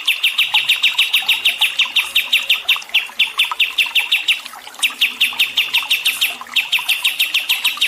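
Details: Songbird in a training recording for stressed birds, paired with water therapy: long bursts of fast, sharp, bright chirps, roughly three per second, with a few short pauses between runs.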